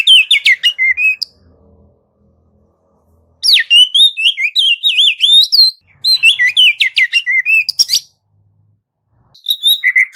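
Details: Oriental magpie-robin (kacer) tutor song of the 'full isian dan tembakan' style: bursts of rich, high whistled and warbled phrases with quick sweeping notes, broken by silent pauses of about two seconds.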